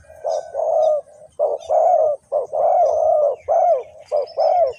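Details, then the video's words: Decoy spotted dove calling to draw wild doves toward a trap, from Ninh Thuận: steady run of mellow, mid-pitched coos alternating short and drawn-out notes, closely packed with little pause between them. "The Sound Of dove"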